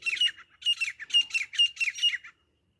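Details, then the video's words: Grey francolin (desi teetar) gives about six loud, harsh, ringing notes in quick succession over two seconds, then falls silent; a recording used as a hunting call. "desi teeter grey partridge grayfrancolin hunting sounds"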